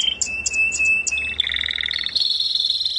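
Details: Canary singing melodiously: high clipped chirps over a steady whistled tone, then a rising run of fast trilled notes with a faint low hum beneath.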